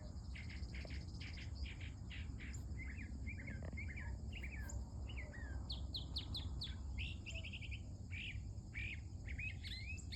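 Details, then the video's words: Female mockingbird in early-morning song: a varied, lively stream of phrases, first a fast series of sharp upswept notes, then chattery slurred notes and more repeated rising notes, with low rumble behind. "A VERY Happy 😊 Mocking Bird Indeed."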